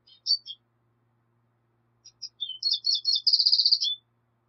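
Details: Black siskin (Bolivian siskin) song: a few high chirps, a pause, then an accelerating run of sweet twittering notes ending in a fast, buzzy trill of repeated high elements and a falling slur; faint low hum.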